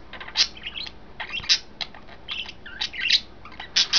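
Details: Three domestic budgies, yellow, green and white, enjoying a new cage on May 26, 2012, produce a steady babble of soft twittering notes punctuated by louder sharp peeps.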